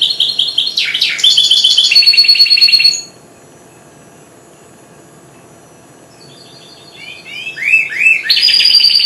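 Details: Goldfinch hybrid aged four months, at the start of its singing, delivers a loud burst of dense buzzy trills and slurred whistles, pauses in silence for about three seconds, then resumes with rising swept notes and trilling.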